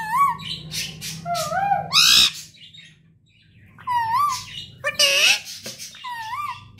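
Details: Pet parrot producing wavering, harmonic whistled calls that bend up and down, mixed with harsh, noisy screeches, in two bursts split by a short silent pause.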